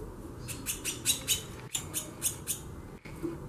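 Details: Female White-bellied seedeater calling abundantly in xaxando fashion: two quick runs of bright, high, percussive ticks, five or six notes each, evenly spaced, with a low hum behind.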